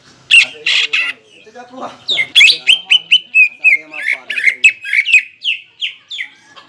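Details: Contest lure song of a greater green leafbird, meant to spur birds into the ngentrok fighting style. Harsh opening bursts lead into a long, fast chain of falling whistled notes that gradually slows.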